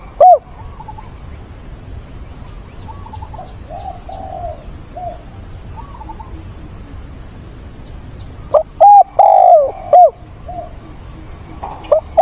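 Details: A caged decoy spotted dove coos to find a partner, recorded 17 September. For most of the stretch only faint, distant cooing is heard. One loud close phrase of clipped notes around a long sliding coo arrives late.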